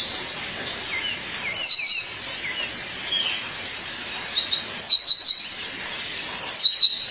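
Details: Calling to her partner, a female violaceous euphonia gives quick groups of two to four sharp, high, descending chirps, separated by a few seconds of quieter faint twitters and hiss.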